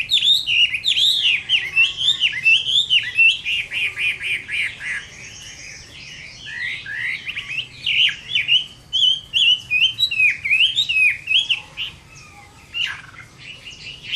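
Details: Chinese hwamei delivering a long fighting song at summer midday, Vietnam: continuous energetic whistled phrases, rippling and looping, repeated in rapid bursts with short pauses, a faint low hum underneath.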